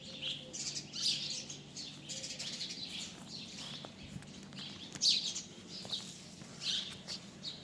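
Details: Birds chirping, with short high chirps and trills scattered across the clip, louder bursts near one, five and under seven seconds, over a steady low hum.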